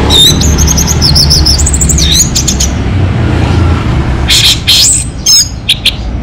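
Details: Orange-headed thrush, a local bird, singing strongly: fluttering high whistled phrases with rapid trills for about two seconds, a pause, then more sharp bright notes, all against a constant low rumbling background.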